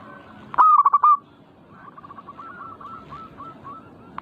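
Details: Zebra dove song played to provoke other doves into frequent singing: one loud, mid-pitched phrase of rapid staccato cooing notes ending in a drawn coo. A fainter, distant dove phrase follows, then another loud note begins at the end.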